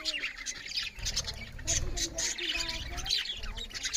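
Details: Several budgerigars chirping loudly while eating, a dense overlapping chatter of harsh squawks and bright chirps; low thumping and a faint low tonal hum underneath.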